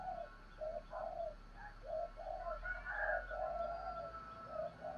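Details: Spotted dove cooing in the 'gáy thúc' and 'gáy gọi' styles, also known as the double 'hai hậu' call. Low hollow coos repeat again and again against steady background hiss, with faint higher notes from another bird.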